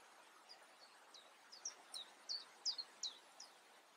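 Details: European crested tit calling: a series of short, high, thin chirps and trills repeated rapidly, louder bursts mid-clip, over steady background noise.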